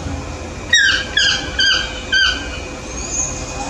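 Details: Yellow-throated toucan calling in the morning: four loud, harsh yelping notes, each starting high and sliding downward, spaced about half a second apart, over a steady background hum.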